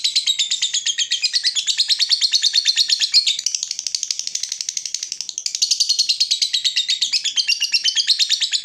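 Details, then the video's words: Long ngekek call of a lovebird, meant to lure and tutor other lovebirds: fast, unbroken chattering of high, scratchy notes, rhythm briefly shifting mid-phrase before running on, heard clean without background noise. "suara burung Lovebird terbaik buat memancing burung Lovebird dan masteran"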